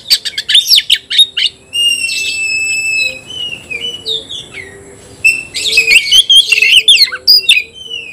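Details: Oriental magpie-robin singing against a rival: quick sharp notes, a long steady whistle, sliding downward whistles, then a dense burst of buzzy, warbled chatter.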